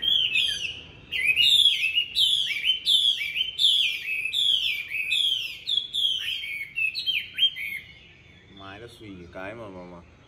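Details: Caged Chinese hwamei in Hanoi pouring out loud, rich song: a series of ringing whistled phrases with buzzy, descending overtones, repeated roughly every second for about eight seconds, then a short, quieter rasping passage.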